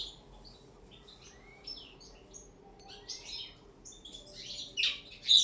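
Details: Common linnet in a cage, training to sing on the table for the first time: soft sliding whistles and twitters building into loud, harsh buzzy phrases at the end.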